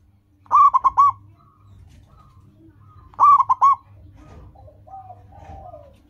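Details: Two loud, staccato cooing bursts from a local zebra dove, each a fast string of four clipped notes, with softer gliding coos from other doves between and after them. The recording is meant to train caged doves to sing.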